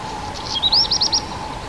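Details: Common firecrest, Regulus ignicapilla, from Czechia: a short burst of five or six high, thin, rising notes given quickly in a row, over a constant low background hum.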